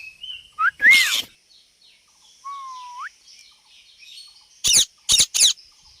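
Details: Ring-necked parrot vocalising: clear curved whistles and a rising whistled slide, separated by quiet gaps, followed by a trio of loud harsh screeches.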